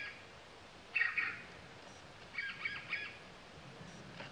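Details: Sultan tit, a male, recorded at Latpanchar, Darjiling district, West Bengal, India, in February 2018; one loud rasping chatter followed a second later by three fainter evenly spaced harsh notes against quiet background hiss.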